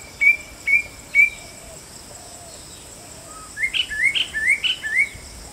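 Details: White-bellied drongo: three loud level whistled notes about half a second apart, a pause, then a rapid run of rising, slurred chirps, against a continuous high-pitched insect hum.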